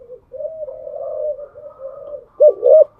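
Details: Cage-kept spotted dove cooing in the morning: long low humming coos, then two short louder dipping notes near the end.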